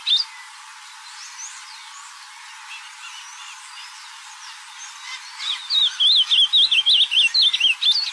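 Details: Ultramarine grosbeak in nature: several seconds of quiet background with faint distant bird notes, then a loud, fast warbled phrase of wavy whistled notes bursts in near the end.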